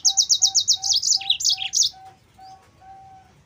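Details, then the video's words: Vigorously singing yellow-fronted canary, meant to tutor and draw out other canaries: a quick string of identical high chirps, then wavering, descending notes for about two seconds, then a faint repeated low whistle-like tone. "MASTERAN BURUNG MOZAMBIK GACOR"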